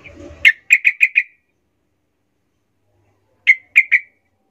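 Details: Yellow-vented bulbul singing agitatedly to provoke other bulbuls: a short group of four or five sharp, clipped notes, a long silence, then three more similar notes.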